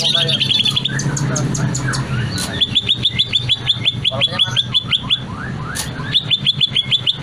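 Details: Cucak ijo, the greater green leafbird, singing a long varied song meant to coax others into song: murmured notes, then rapid repeated bright chirps, each one dropping in pitch, over a low rumbling hum.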